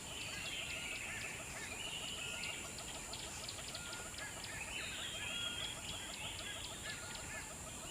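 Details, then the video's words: Chicks tended by their mother give a continuous chorus of thin, high chirping and brief whistles, many overlapping calls repeated rapidly, over a steady high-pitched hiss. "How Baby Birds has been taken care by their Mother"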